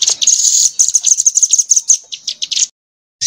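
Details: Crimson sunbird tutor song for training songbirds, rambatan material: a quick burst of sharp, high, tightly packed chips slowing into separate notes, then a short silence before a single note resumes at the end.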